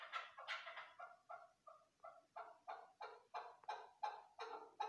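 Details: Chukar partridge, Pakistan's national bird, giving a hunter's call: a steady series of harsh, clucking chuck notes about three per second, gradually growing louder and fuller.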